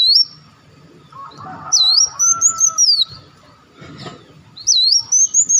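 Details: Olive-backed sunbird, known locally as wulung or muncang, calls used as a lure to attract birds: loud high whistled phrases, each a dipping note followed by a rising, wavering run, repeated three times with fainter chirps and a low hum between.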